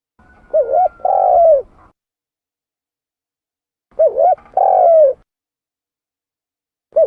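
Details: Spotted dove call for luring: two cooing phrases about three seconds apart, each a wavering double note then a long falling coo, with the start of another phrase at the end. A faint thin tone runs under the first phrase.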